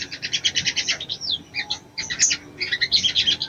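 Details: Female crimson sunbird calling to a male to arouse him for mating: rapid high-pitched twittering chirps in dense bursts, a brief sliding whistle, then short sharp chips and another fast trilled burst.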